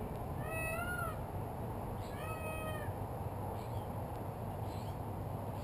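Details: Peacock on a rooftop giving two drawn-out, nasal, meow-like wails with strong harmonics, about two seconds apart, over heavy, constant low rumbling noise.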